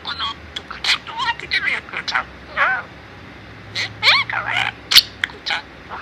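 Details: Four-year-old male pet budgerigar in Mie Prefecture, Japan, that mimics its owners' Kansai-dialect speech, saying 'chiisakute taihen'. Fast, squeaky, chattering syllables come in bursts with warbling, bending pitch and short gaps, in a quiet indoor room.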